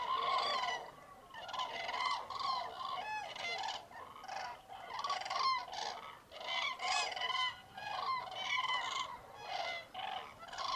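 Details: Hundreds of wild common cranes waking at a huge roost on an icy, foggy dawn in mid-January, Tablas de Daimiel National Park, Spain; loud overlapping rolling trumpet calls in bursts with gaps, some greylag geese and teals present.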